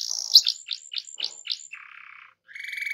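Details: Canary song used to rouse other canaries to sing: a series of sharp downslurred notes, then a low buzzy rattle and a brief higher trill, somewhat quieter.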